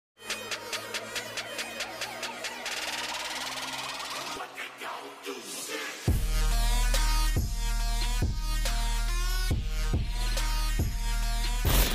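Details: Electronic dance music with a steady thumping beat and synthesizer tones; no animal sound.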